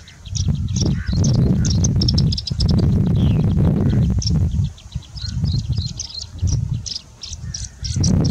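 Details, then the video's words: Singing bush lark singing during heavy wind in India; thin, high, scratchy notes run in quick bursts above a constant loud roar of wind buffeting the microphone. "Singing Bushlark singing in the wind"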